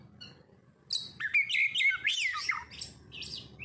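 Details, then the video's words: Kacer lure song intended to set birds singing: after a quiet second, a fluid run of clear slurred whistles and rapid twisting notes, fading to a few softer phrases, over a faint hum. "Pancingan Kacer langsung auto gacorr"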